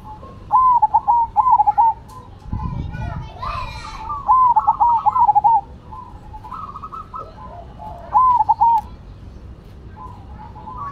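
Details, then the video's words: Zebra doves (perkutut) of Cemani and Silver varieties singing actively: three rolling, stuttered coo phrases several seconds apart, softer cooing between, and a brief burst of other noise early on. "Perkutut Cemani Gacor Vs Silver Gacor"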